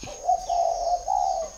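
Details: Spotted dove kept at a bird farm in Ba Vì, Hanoi, northern Vietnam, giving a soft, low, mellow coo in two drawn-out phrases over about a second and a half, with a faint steady hum behind.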